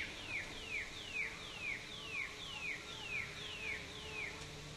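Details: A brush cuckoo (Cacomantis variolosus) calling at Kobble Creek, southeast Queensland, Australia, on a dull day: a steady run of about ten clear, downslurred whistles, roughly two per second, over a faint low hum.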